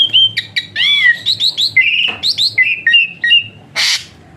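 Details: Asian pied starling, a songbird kept for training other birds to sing, giving a rich varied song of clear whistles, harsh squawks and warbled notes around mid-high pitch, with a loud raspy burst near the end.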